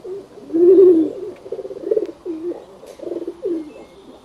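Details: Pigeon cooing: one louder, wavering, throaty coo opens the sequence, followed by several softer, shorter gurgling coos in quick succession.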